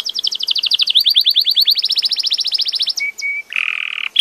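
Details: Belgian canary song built from a long fast roll of repeated notes, shifting slightly in pitch midway, then two short flat whistles and a buzzy held note.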